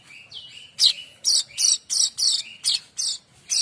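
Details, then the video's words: Streaked weaver singing, a recording meant for tutoring magpie robins and other songbirds: a short whistled slur, then a steady series of loud, harsh, high rasping notes, about three per second. "Kicau manyar variasi mantab"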